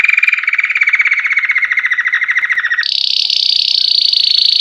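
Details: White Belgian canary, classic campainha (bell) song used to warm up canaries after the moult; a lower, pulsing rolling trill gently falling in pitch, then a sudden jump to a higher, faster ringing tour.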